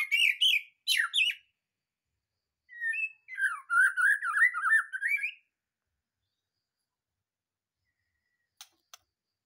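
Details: White-rumped shama, a caged champion bird taken straight from the breeding cage, singing loudly: rising whistled phrases, then a fast warbling stretch of jumbled whistles and buzzy notes lasting about three seconds, followed by silence and faint clicks.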